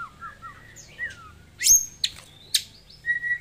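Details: Caged Pasaman white-rumped shama from Indonesia, a loud bird used as a vocal tutor for other shamas: a varied run of clear whistled notes, some slurred down, some rising, ending on a sustained steady whistle.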